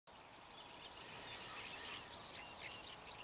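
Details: Little Terns (Sterna albifrons) at Trnovec nad Váhom near Šaľa, Slovakia, give a busy run of sharp, high, squeaky calls, several overlapping in quick succession, over a steady background hiss of wind or water.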